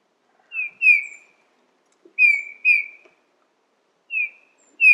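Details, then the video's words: Soft, melancholy piping of a Eurasian bullfinch: short falling whistles given mostly in doubled pairs, repeated at intervals of over a second, with no other sounds. "GIMPEL - DOMPFAFF - BLUTFINK 💮Zwitscherportrait💮 Vogelstimmen"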